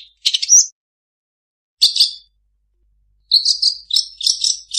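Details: Long-tailed shrike imitating other birds: a short chirpy burst, a second brief phrase after a pause, then a run of repeated high ringing chirps and trills at the end.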